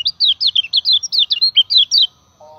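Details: Common iora singing a steady lure song used to train other birds; a fast run of about fifteen bright, sharply descending whistled notes in quick succession, then a brief low hum.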